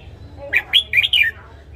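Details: Caged red-whiskered bulbul with morning song for training birds: a single quick phrase of four clear, looping whistles, the last one sliding downward, above faint background hum.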